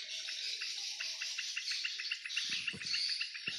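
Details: Afternoon swiftlets flying over a swiftlet house; sharp, high chirps repeat steadily about four times per second, over a hissy background, with a few dull knocks near the end.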